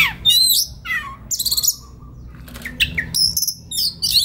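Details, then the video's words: Relaxed singing of an oriental magpie-robin, later turning to konslet, kept as a training master for young wild-caught birds; short high whistles and quick trilled bursts separated by brief pauses, with a low background hum. "SUARA KACER SANTAI LANJUT KONSLET"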